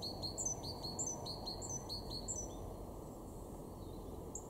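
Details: Great tit in a Weener garden, East Frisia, northwestern Germany, March 2023, delivering rapid repeated high two-note phrases with sharp downward hooks for about two and a half seconds, then falling quiet above a low constant hum.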